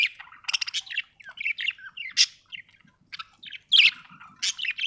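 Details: Budgerigar warbling busily, a chatter of short squeaky chirps, buzzy trills and a few piercing high tweets delivered in quick, irregular succession.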